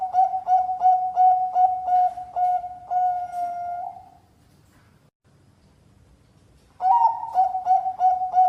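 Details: Zebra dove of the Bangkok type, kept as a master bird, singing: a run of quick, mellow, pulsing coos repeated about three times a second, then a pause, then the rapid cooing resumes.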